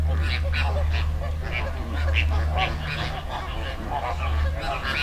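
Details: Dominican Republic river flock of flamingos giving quick, irregular nasal honks, roughly four a second, above a strong low drone.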